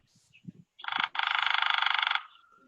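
A woodpecker gives a short chirp, then a fast, even chattering laugh of about twenty-five harsh notes in just over a second. Faint voices come before it.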